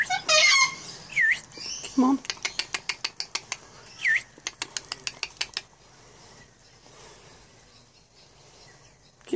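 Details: Australian yellow-crested cockatoo gives harsh, scooping screeches mixed with a low grunt, each screech followed by a quick run of dry clicks or taps, in a small indoor room.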